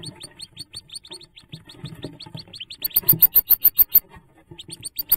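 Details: Hooded merganser ducklings on their nest-jump day, 5 May 2024, give thin, high peeps several times a second, swelling into a louder run midway, over a low background rumble.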